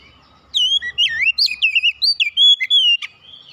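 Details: Oriental magpie-robin, called kacer, in a recording to prompt a silent bird into singing: a clear two-and-a-half-second phrase of rapid, varied whistles, with upward and downward slurs, short chips and a final sustained whistled note.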